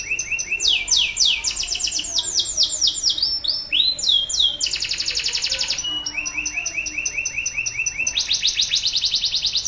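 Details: Male domestic canary singing loudly and continuously, meant to prompt silent canaries to sing; fast repeated trills of rising and falling high notes change phrase every second or two, over steady background hiss.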